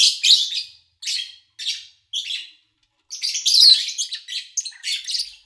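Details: Lovebirds recorded over three days in August 2019, edited to keep mostly bird noise; four separate scratchy chirps spaced about half a second apart, a pause, then a denser run of harsh chattering notes.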